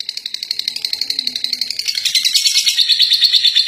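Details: Lovebird that won first place, singing its long ngekek chatter: quick, high, scratchy pulses about three per second, starting moderate and rising in loudness and brightness toward the close.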